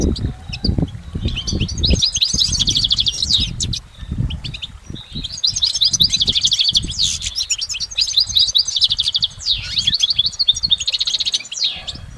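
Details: Goldfinch singing in nature in long twittering runs of rapid, tinkling, trilled notes, with a short pause and then more sustained jangling phrases; some low rumbling noise early on.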